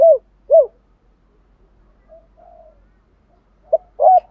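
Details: Spotted dove, male and female calls used to prompt cooing; two short arched coos, a stretch of very soft low notes, then a brief double coo at the end.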